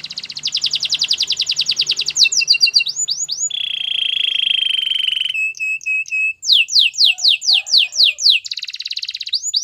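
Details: Canary song played for training canaries: fast, even trills of sharp downslurred notes, a sustained buzzy roll, brief whistled notes, then more rapid repeated trills. Loud and clean, with no other sounds.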